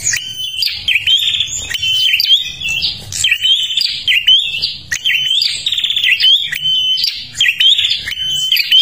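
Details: A Bornean prinia, used as a lure song, sings a loud, unbroken run of sharp, high chirps and trills, fast and repeated with little pause.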